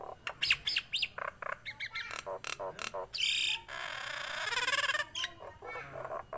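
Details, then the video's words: Nias hill myna singing energetically, starting with quick whistled upslurs and harsh notes, then a long grating buzzy rattle lasting over a second, followed by scattered short calls. "JALAK NIAS GACOR"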